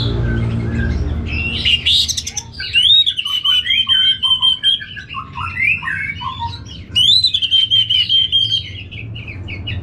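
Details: A North Bali orange-headed thrush sings long, clear, slightly wavering whistles broken by quick chattering notes and short pauses, with a second sweeping phrase near the end. A faint low hum sits behind it.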